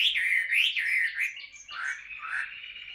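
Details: Tame Chinese hwamei in voice-training song: loud, varied warbled phrases that rise and fall, rich and slightly buzzy, with a brief break midway before the warbling resumes.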